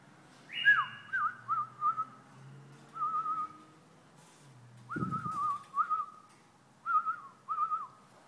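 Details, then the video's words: A White-eared bulbul (Hasawi bulbul) sings short, liquid, warbling whistles at mid pitch, mostly in pairs spaced a second or two apart, over a faint low hum. "بلبل حساوي"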